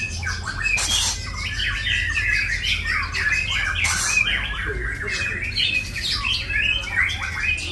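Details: Murai batu (white-rumped shama) singing a full-isian master: dense, fast chattering and whistled phrases running nonstop, two sharp broadband clicks early on, and a low steady hum beneath.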